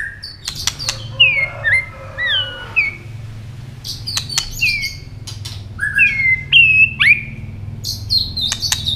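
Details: White-rumped shama, stimulated into fighting song while flicking its tail and snapping: sweet descending whistles and short warbles spaced by sharp clicks, with a faint low hum behind.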